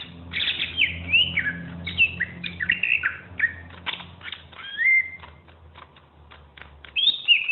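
A greater green leafbird sings a fast, varied run of bright whistles, slurred notes and sharp chirps with almost no pauses, over a faint low hum.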